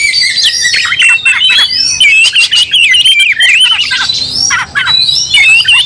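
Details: Angry Oriental magpie-robin provoked to fight, other magpie-robins stirred up: high thin whistles then a long run of rapid zigzag warbled notes, with short rasping squawks between phrases.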